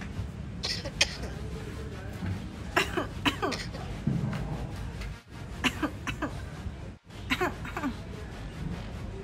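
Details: An African grey parrot (Psittacus erithacus) imitates coughing and snoring, giving a series of short, harsh, cough-like bursts and wheezy snores over low room hum.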